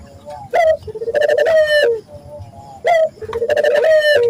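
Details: A local Barbary dove calling, used as a lure to make other local doves call quickly: two phrases, each a clipped rising note and then a long, wavering, tremulous coo.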